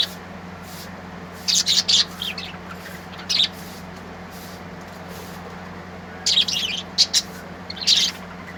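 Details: Colourful birds singing: a few short, high chirping bursts clustered around one and a half to two seconds and again near six to eight seconds, separated by quiet stretches over a steady low hum.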